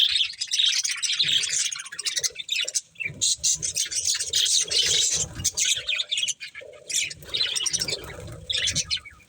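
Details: Budgerigars at a meal of corn chatter steadily in high, buzzy warbles and chirps, with quiet low knocks and rustles underneath.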